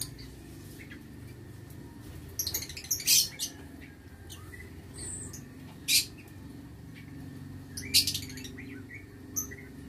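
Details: Lovebirds in a breeding aviary, recorded 6 November 2022, giving three sharp, shrill shrieks about two to three seconds apart over a steady low hum.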